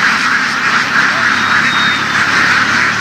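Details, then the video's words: Large flock of laying ducks herded through fields in western Vietnam, giving a dense, steady wash of overlapping quacks that merge into one continuous rasping chorus, with a faint thin whistle-like tone briefly above. "Duck | Nghề nuôi vịt đẻ chạy đồng của người dân miền tây"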